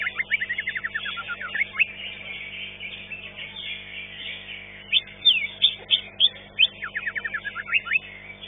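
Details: Singing-contest green leafbird, placed fifth, delivers bursts of fast, sharp, downward-slurred whistled notes in rapid runs, pausing between runs, over a steady hiss of background arena noise.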